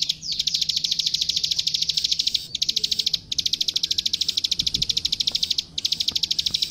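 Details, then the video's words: Plain prinia, called klik klik, in a master recording for training songbirds: fast, high, metallic ticking in long rattling strings with short gaps between them, over low background noise. "Suara Masteran Burung Klik Klik Gacor"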